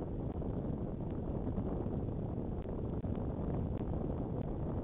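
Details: Dull rushing wind noise on the microphone with faint clicks, and no calls from animals.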